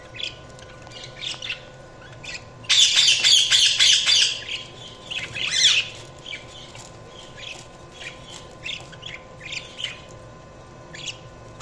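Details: Budgerigars give a dense, loud burst of rapid scratchy chatter for about three seconds, then softer scattered chirps and twitters continue over a low hum.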